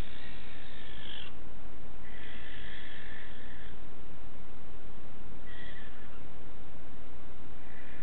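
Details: A strange barn owl, chased away by a man, gives three drawn-out, hoarse screeches, each about one to one and a half seconds long, over steady low background rumble.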